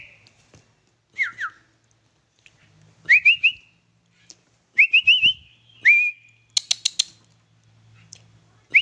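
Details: Sooty-headed bulbul kept at home gives short, clear whistled phrases, slurred up and down, in bursts every second or two, with one brief harsher chatter; a faint low hum underneath.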